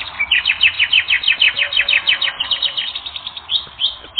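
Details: Canary singing for a training recording: a quick, rhythmic series of sharp, sweeping chirps, about five per second. The notes slow and become softer, ending in a few spaced high whistles.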